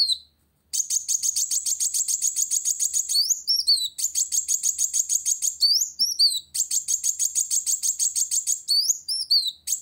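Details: Van Hasselt's sunbird (kolibri wulung) singing vigorously to challenge a rival: very high, fast buzzy trills lasting about three seconds each, broken by short sharp upward-sweeping notes between bursts.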